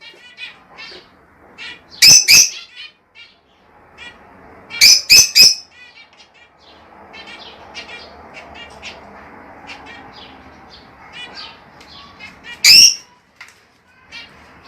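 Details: Rosella sounds offered to encourage mating: bursts of sharp, loud squawks in pairs and triplets, separated by runs of quick, soft chattering notes over a low background hiss.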